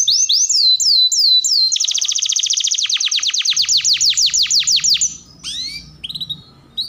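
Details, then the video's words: Canary singing loud falling whistles in a row, then a long quick roll of downward-swept notes, ending with a few short rising chirps and faint low background hum. "Pancingan KENARI Gacor Panjang || Suara MASTERAN KENARI"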